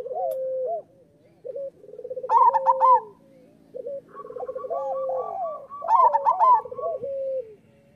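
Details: Local zebra doves cooing energetically, meant as a master recording for doves that sing little: overlapping purring rolls and rising hoots, broken by two loud bubbling trilled bursts about four seconds apart.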